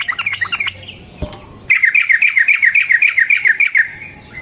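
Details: Sooty-headed bulbul in fighting mood, giving a short chatter, a sharp click, then a fast, regular rolling trill of about fifteen quick notes lasting two seconds.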